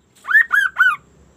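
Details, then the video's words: Sunda laughingthrush (kaso-kaso) in lively, unusual song, heard as three full, slightly hoarse whistled notes, each rising then falling, delivered in quick succession. "GACORNYA KASO-KASO INI BERBUNYI TAK BIASANYA"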